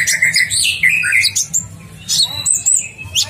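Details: Sunbird of the ninja type in full song for a masteran training track: sharp, thin high notes and short twittering slides tumble rapidly, with a steady low hum underneath.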